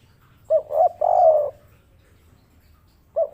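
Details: Local spotted dove, tekukur kuk 3 type, giving a three-part coo: two short rising notes then a longer drawn-out coo, with a fourth note starting the next phrase near the end.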